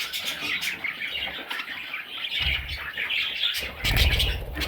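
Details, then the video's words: Raspy, high chattering from parrot chicks runs throughout, with dull bumping and handling noises in the second half. "Parrot Chicks"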